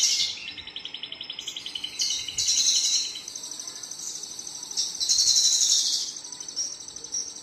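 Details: Male Javan bush lark, Tegal and Brebes area, singing bright, buzzy high trills and rapid chattering bursts, with quicker ticking notes early on, then sustained rattling phrases that swell and fade, over quiet background hiss.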